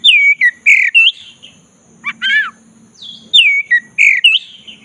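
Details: Oriental magpie-robin with black breast, provoked into singing, gives looping whistled phrases and chirps, a harsh buzzy note midway, then more bright sliding whistles; a low hum runs underneath.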